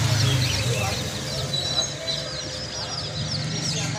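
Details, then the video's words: Chicks giving thin, high, arched peeps in quick succession, partly overlapping, while low rumble and faint voices sound in the background. "chicks chirping sounds"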